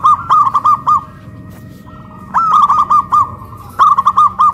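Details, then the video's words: Caged local zebra doves hoisted on a pole in Kuningan, West Java, cooing loudly in a duet of big and crystal voices. Three phrases of staccato, rolling coo notes, each phrase beginning with a rising note. "PERKUTUT LOKAL SUARA BESAR VS SUARA KRISTAL"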